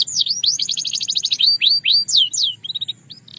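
A Belgian canary sings a fast, bright run of high trills and rapid repeated notes, then sharp downslurred whistles and a quick stuttering phrase.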